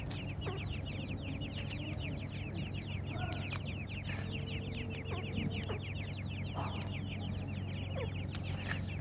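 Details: Several francolin (teetar) chicks calling for their mother while feeding, a dense continuous chorus of quick, thin, falling peeps repeated many times a second, with occasional faint lower tones over a constant low rumble.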